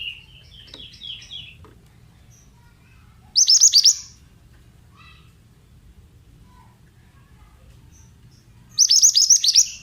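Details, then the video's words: Male Oriental magpie-robin of the mountain type: soft twittering notes at the start, then two loud bursts of rapid high descending notes roughly five seconds apart, with scattered quiet chirps between. "Terapi Suara Burung Mantenan"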